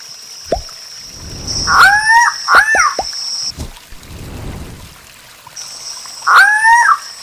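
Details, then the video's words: Guianan cock-of-the-rock calling repeatedly: two quick nasal, harmonic squawks, a few sharp knocks, then another squawk seconds later, with a loud high insect buzz switching on and off in the background. "CANTO DO GALO DA SERRA, GALO DA SERRA CANTANDO MUITO!"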